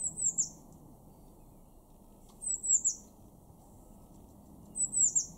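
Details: Blue tit calling in a garden in Weener, East Frisia, Germany, March 2024: three repeated bursts of high, thin, slurred notes falling in pitch, spaced around two and a half seconds apart, against quiet low background noise.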